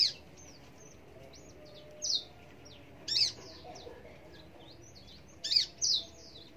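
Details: Singing bushlark of the parva subspecies: a busy sequence of high, quick slurred notes broken by several loud harsh bursts, some of them doubled, against quiet background noise.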